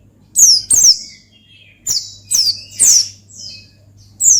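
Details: Gacor ngalas song of pleci, the Oriental white-eye, used to call a rival: sharp, high, descending chirps in pairs and singles, one softer trailing note, over a low steady hum.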